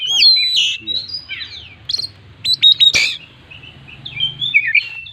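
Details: Oriental magpie-robin kept as a song bird, singing a full, varied repertoire: loud whistled phrases, a rough buzzy note, sharp clipped chirps and warbled slurs, with a brief knock and steady low hum.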